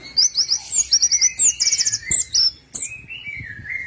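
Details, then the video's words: Orange-headed thrush singing, played to start other birds singing: fast repeated high trilled phrases over a sustained lower whistle, then long slurred whistles. "PANCINGAN ANIS MERAH MACET DALAM 3MENIT PASTI NREKTEK"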